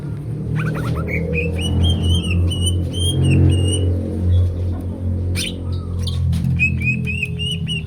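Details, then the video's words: Greater green leafbird delivering quick whistled phrases of bright, rising notes, repeated several times, partly masked by a loud low rumbling background. "Kicau cucak ijo gacor"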